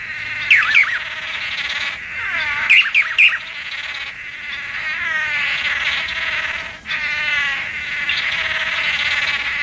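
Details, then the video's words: Blue manakin in wet Atlantic Forest during a mating display: sharp, clipped chirps near the start, then a long wavering, trilled warble that rises and falls over a steady background hum of insects. "BLUE MANAKIN BIRD MATING RITUAL IN THE FOREST"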